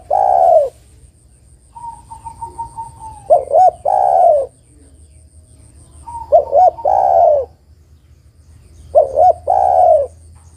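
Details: A female spotted dove calls to a male, a recording meant for luring. Three phrases, each two clipped coos then a long purring coo dropping at the end, come every three seconds or so, with a faint high ticking and low hum.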